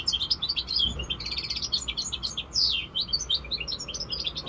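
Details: Five-month-old European goldfinch mule, a hybrid, singing a continuous high twittering run of quick chirps and trills, dense and unbroken across the whole stretch, over a low background hum.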